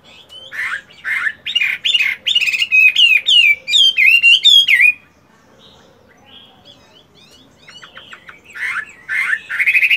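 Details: Caged fighting Chinese hwamei in moult, doing morning voice practice: a fast run of loud, rich whistled phrases with rising and falling notes, then a quiet pause of about three seconds before soft twitters and louder whistles resume.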